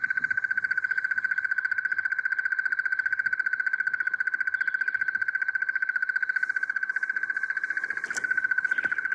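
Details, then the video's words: Crested barbet call played from a guide's device: one long, monotonous, rapidly pulsed ringing trill held at a steady pitch and rhythm throughout, with a faint click near the end. "That is our crested barbet, and it has a very monotonous call. So I've actually got an interesting device here that'll"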